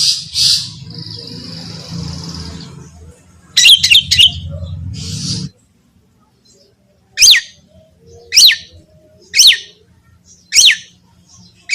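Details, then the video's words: Long-tailed shrike masteran recording meant to set other shrikes singing: a burst of scratchy chatter and a brief buzzy note, then after a pause four sharp, downward-sweeping calls spaced about a second apart, with a low hum early on. "Terbukti ampuh... cendet lain bakal langsung bunyi || masteran cendet"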